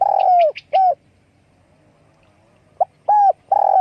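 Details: Spotted dove giving its call while flapping its wings: a long descending coo and a short coo, a pause, then a brief coo note, a short coo and another long sliding coo, with no other sounds.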